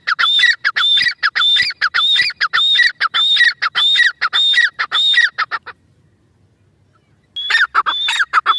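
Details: Loud rhythmic calling of a Grey francolin: high whistled note plus harsh descending squeaks repeated steadily for nearly six seconds, a short silence, then the series starts again.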